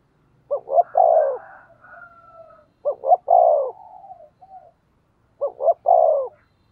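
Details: Three low cooing phrases from a spotted dove kept as a decoy to lure wild doves, each two quick notes then a prolonged coo, with gentle murmuring and a faint thin whistle in the gaps.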